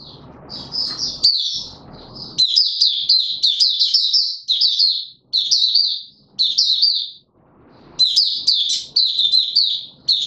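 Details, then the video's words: White-eye, a kept bird being pushed into singing form, recorded 31 December 2021; rapid, continuous high-pitched twittering warble of jumbled chirps, breaking off briefly near the middle; low rumbling background noise at the start and again later. "Mata Puteh - Raja V2 Pushing him on form buka sing"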